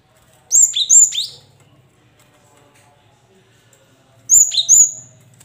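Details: Cinereous tit (gelatik batu) song, played as a lure to get caged birds singing: two bursts of high, sharp whistled notes, each dropping to a lower note, in quick repeated pairs separated by about three seconds of near silence with a faint low hum.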